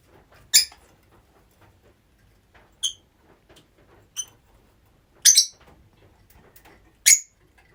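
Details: Pet rosy-faced lovebirds living together. Sharp, high, squeaky calls come singly at irregular gaps, one of them a quick double note, against a quiet room with faint rustling.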